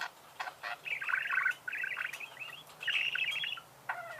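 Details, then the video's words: Soft, chattering warble of budgerigars in long buzzy phrases over a low background hum. "пение волнистых попугаев,скрип"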